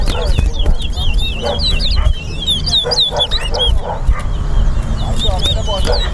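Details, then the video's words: Competing towa towa at the Lamaha and Vlissengen Road bird ground in Guyana give rapid runs of bright, twisting whistled notes. Low rumble, people talking and a man counting aloud sit underneath. "TOWA TOWA BIRD RACE"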